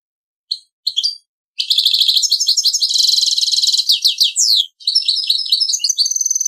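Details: Mulet, a goldfinch and canary cross, sings a Servati-style song. A few clipped chirps lead into a long, fast, rattling high trill, then a short break and bright twittering whistled notes.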